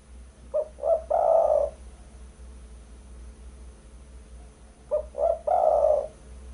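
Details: Spotted dove (derkuku) call used as a lure for catching birds: a three-note coo phrase, two quick short notes then a long low coo, given twice about four seconds apart.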